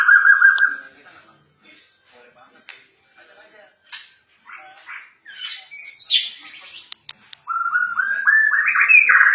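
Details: Borneo White-rumped shama in an agitated mood; a short whistle, quiet scratchy notes, a high looping phrase, then a loud series of rising whistled notes climbing in steps.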